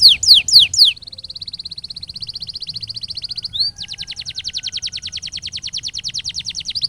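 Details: Canary training song for duration and rhythm: three steep falling sweeps, then a long, smooth rolling trill held for several seconds, shifting into a quicker, crisper trill.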